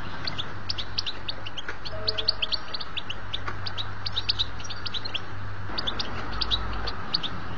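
A European goldfinch sings a fast, unbroken stream of bright tinkling and twittering notes, high-pitched and liquid, over a steady low hum.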